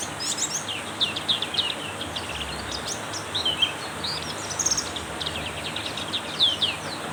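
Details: Black-capped white-eye pouring out dense, high twittering in heavy rain, with quick slurred chirps and trills packed close together against loud, steady rainfall.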